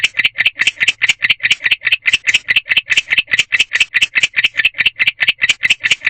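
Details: At night in a nest box, a male barn owl makes a chirping sound that calls to a partner: a fast, even series of rasping chirps, roughly two to three per second, with no other sounds.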